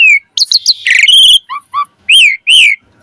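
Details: Asian pied starling singing in full variation, recorded as a model for training birds to sing: a clear whistle, quick chirps and a buzzy stretch, then two long slurred whistles rising and falling.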